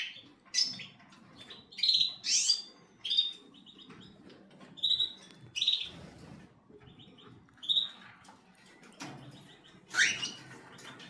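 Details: ['Cockatiel giving shrill, high chirps and short whistled notes, some sliding upward. They come in bursts every second or so over a low background rumble.']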